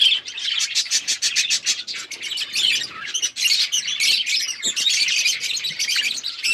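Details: Several pet budgies chatter nonstop, rapid clicky chirps repeated in a fast rhythm at the start, then a thick warbling mix of squeaks and tweets.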